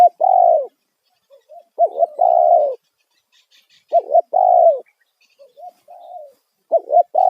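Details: Spotted dove giving a loud 'kuk satu' style call, used as a lure to draw wild doves. Mid-pitched cooing phrases: a short dipping note, then a longer steady hoarse coo. The phrase repeats about every two seconds, with soft quieter notes between.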